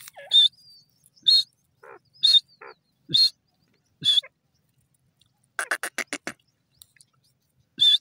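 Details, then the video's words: Grey francolin calling from grass with ringing, high shrill notes about once a second, interrupted by a quick stuttering burst of clicks, with softer lower notes between. "Grey Francolin in grass dasi Teetar ki awaaz"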